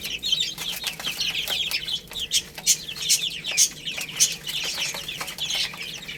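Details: A crowd of chicks eating rice chirps steadily, thin high notes layered densely together, with regular sharp clicking sounds in between.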